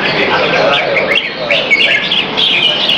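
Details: Caged red-whiskered bulbul exercised around 2:15pm on 22 February 2017 at a Serangoon North Ave 1 arena. Continuous bubbly chirps and short whistled slurs, over a murmur of background noise.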